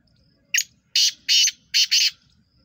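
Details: A black francolin, recorded 23 September 2023, gives a brief opening note, then four loud, harsh, grating syllables in a quick, rhythmic phrase over about one and a half seconds, over a faint low rumble.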